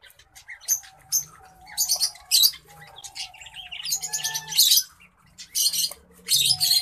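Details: Caged pair: male orange breasted black faced zebra finch and female Isabel zebra finch; loud buzzy honking notes in quick bursts mixed with chattering trills, strongest around the middle, over a steady faint tone.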